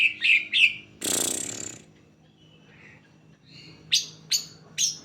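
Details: Greater green leafbird song used as a lure to prompt other leafbirds to sing: two bright, high slurred notes, a loud burst of harsh chatter, a pause, then sharp rising chirps.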